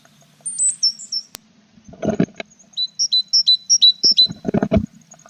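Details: Tit at a nestbox with chicks, 21 April; a few high falling squeaks, a burst of rustling, then a string of clear two-part whistles, followed by more knocking and scuffling in the box.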